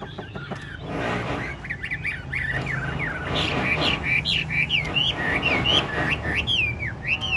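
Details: Caged Chinese hwamei singing with head-bobbing, lion-dance style: a fast varied stream of loud looping whistles and warbles over a busy background of noise and other sounds.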